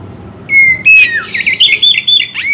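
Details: Oriental magpie-robin song for morning and evening: bright whistled notes near one pitch, then a dense run of rapid warbled and trilled phrases, ending in a sharp down-swept whistle.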